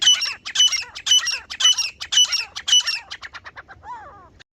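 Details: A female grey francolin (teetar) gives its hunting-lure call: loud rasping bursts in steady rhythm, roughly two per second, tapering off, then a lower, softer descending note at the close.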